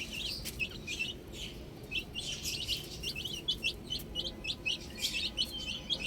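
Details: Several baby chicks chirping outside, quick high-pitched peeps in clusters, some bright upslurred notes, the chatter continuing nonstop for six seconds with a faint low rumble beneath.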